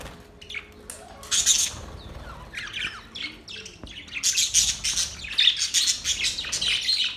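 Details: Singing budgerigars, given as a mating call: sparse sharp chirps at first, then a rapid stream of bright, buzzy twittering notes packed closely together, with faint clicks in between.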